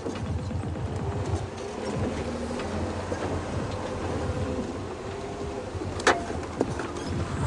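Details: Loud rumbling vehicle and wind noise fills a sunset safari drive, broken by one sharp knock, with no animal voices.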